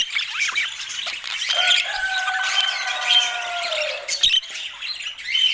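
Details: Budgerigar warbling continues underneath a sustained, slightly falling tone with overtones lasting over two seconds, then the busy, squeaky chatter takes over again.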